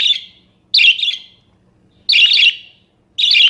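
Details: Caged pet budgerigar giving buzzy chirps used as tutor sound for other songbirds: three rasping bursts, the middle ones doubled, separated by gaps of over a second, faint hum in background.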